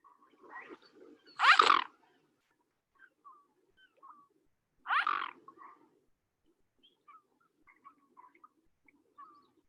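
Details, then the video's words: A Mute swan, introduced to the Chicago area, gives two loud, hoarse, rasping snorts about three seconds apart, with soft chirps of small birds scattered in the background. "let's listen to what a mute swan sounds like"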